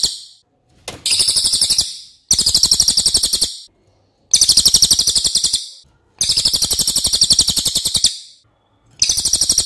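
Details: Cililin tutor recording, a bird known for its long, loud voice: high, dense buzzy trills in bursts of about one to two seconds, separated by brief pauses; no other sounds stand out.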